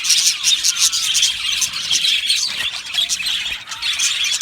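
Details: Flock of Australian budgies in an aviary giving busy, overlapping chatter: high squeaky chirps, brief whistled notes and scratchy warbling, loud and unbroken throughout.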